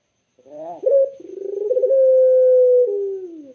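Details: Single clear, soothing coo of a Barbary dove: a brief rising stutter, a pulsing middle, then a long even low tone that slides downward at the close, with no other sounds.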